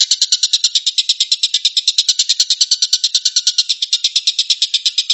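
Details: Rapid 'tembakan' song of a long-tailed shrike, called tengkek buto locally: a loud string of harsh, grating notes fired off quickly and regularly, forming a continuous rattling chatter.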